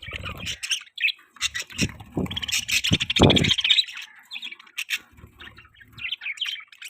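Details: Pet budgies chatter as they eat, giving quick, scratchy chirps and warbled phrases in irregular bursts, with a louder buzzy stretch mid-way and soft low thuds and rustles underneath.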